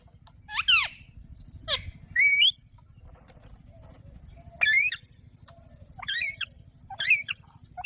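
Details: Alexandrine parakeet uttering sharp, bending whistled calls and brief raspy squawks at irregular intervals, several seconds apart, over a faint low hum.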